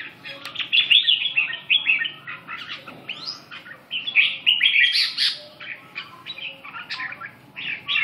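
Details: Just-woken red-whiskered bulbul in lively song: dense bursts of sharp chirps, trills and quick upward-slurred whistles, loud phrases separated by brief softer gaps, with a faint steady hum underneath.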